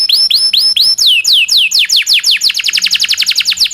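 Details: Local canary used as a song tutor for shamas, magpie-robins and green leafbirds: a few rising whistles, then downward-sweeping notes that accelerate steadily into a fast rolling trill.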